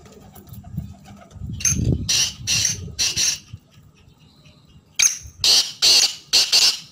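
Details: Black francolin giving a harsh call, a tight series of four rasping broadband notes, repeated after a short pause, with faint low background noise between bursts.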